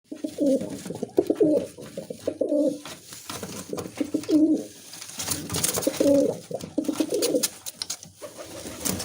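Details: Musaldom pigeon, a domestic breed, cooing in a small room: low, rolling coos in bursts of about a second, several in a row, with clicks and rustling between them.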